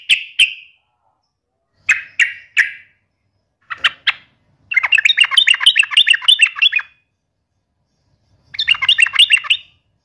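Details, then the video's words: Yellow-vented bulbul challenging a rival: a few separate sharp chirps, then a bubbly, warbling phrase of quick rising-falling notes lasting two seconds, repeated after a pause. "trucukan gacor TARUNG MELEDEK LAWAN"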